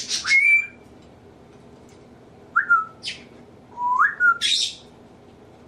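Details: Captive male African grey parrot copying its owners' sneezes, laughs, burps and nose blowing, also using its vocabulary: several clear rising and falling whistles alternate with sharp, noisy, sneeze-like bursts in a quiet indoor room.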